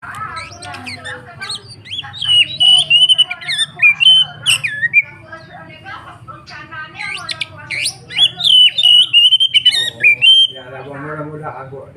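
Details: Oriental magpie-robin in full, energetic song: loud, varied whistled phrases mixed with harsh squawky notes and rapid chattering trills, sliding up and down, nearly continuous, with faint low voices in the background.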